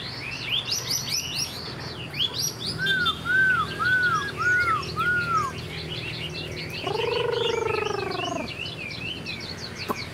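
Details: Caged first-year Chinese hwamei wagging its tail like a laughingthrush: chattering high phrases, then five arched whistles in a row, followed by a long, loud, harsh, buzzy note with strong overtones.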